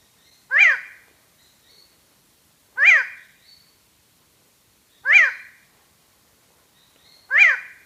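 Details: Hooded Tinamou, a very shy, solitary ground bird of higher-elevation forest that is heard far more often than seen, giving a nasal, hollow 'oh' song note that rises and falls, repeated four times about every two seconds against silence.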